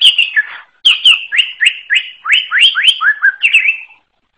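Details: Greater green leafbird from the wild, singing a lively string of loud, rich, upward-sweeping whistles and chattering notes repeated in quick succession for about four seconds before stopping.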